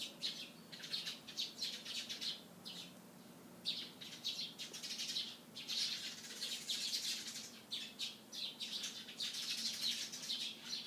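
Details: Sparrows chirping in the morning: dense, overlapping short harsh chirps, many per second in irregular bursts, several birds calling at once with brief pauses, over a faint low steady hum.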